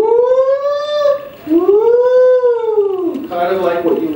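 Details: Barred owl hoots played back during an indoor presentation, described as going woo, woo and tailing off at the end: two drawn-out, rich hooting notes, the second rising then sliding downward, followed by a rougher, noisier sound.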